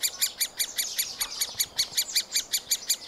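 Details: Middle spotted woodpecker nestlings calling as parents feed them at a round-holed cavity nest; rhythmic, scratchy, high notes come in a steady pulse, roughly three per second, loud and clear over a quiet background.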